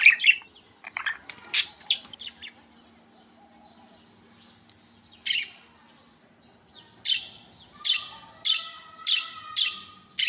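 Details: Budgerigar chattering: a burst of scratchy chirps, a quiet gap with a faint low hum, then a run of regular short squeaky notes about every half second.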